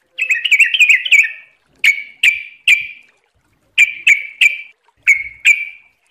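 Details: Sooty-headed bulbul in a training recording: an opening burst of quick warbled whistles, then single sharp, bright chips spaced about a third of a second apart, some in pairs, with clear pauses between.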